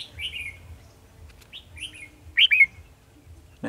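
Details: Red-whiskered bulbul used as a trap decoy, recorded 18 December 2020, giving scattered slurred whistles and then a loud double-note phrase near the end, with low rumbling hum beneath.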